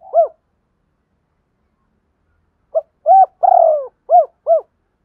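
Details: Lure spotted dove from Đồng Nai calling in the double-voice style. One lone coo is followed, after a pause, by a phrase of five: a short pip, arched coos, a long drawn-out central note, then two clipped closing coos.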